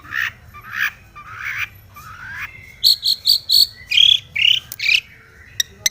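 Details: Long-tailed shrike in aggressive song, seeking a rival: slurred buzzy phrases rising in pitch, then a quick run of bright clipped notes and a few sharp whistled chips, ending with brief clicks.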